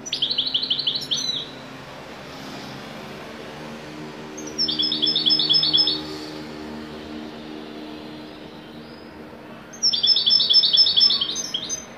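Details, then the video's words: European goldfinch song in the widani style, heard as three separate bursts of fast, tinkling, metallic twitters roughly every four to five seconds, quieter background between phrases. "تغريد حسون ويداني"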